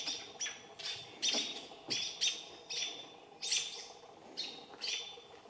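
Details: American robins still mobbing a barred owl, calling with spaced, sharp, ringing alarm notes roughly every half second to second, less frantic than a steady barrage, over quiet background.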